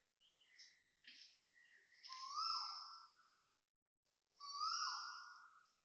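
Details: Loud early-morning Asian koel at a Toa Payoh housing block, Singapore, 6:38 am on 5 December 2025; soft scattered chirps open, then two long, rich whistled notes that rise slightly and fall away, roughly two seconds apart.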